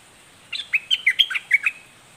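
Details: Doubled, fierce-style song of a southern 'dok taeng' red-whiskered bulbul: about seven slurred whistled notes, each dipping and rising, delivered quickly over roughly one second against faint hiss.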